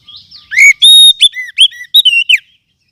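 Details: Wild forest oriental magpie-robin lure sound, used to train other songbirds. Faint thin twitter, then a loud two-second phrase of ringing whistles, rising slurs and quick chips that ends in soft chatter.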